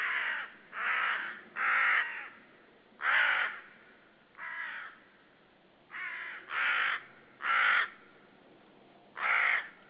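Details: Common raven out of view yelling near a white-tailed sea eagle nest, Saunja, Estonia, March 2013 afternoon; nine coarse, grating caws in ten seconds, delivered in uneven bursts with short gaps.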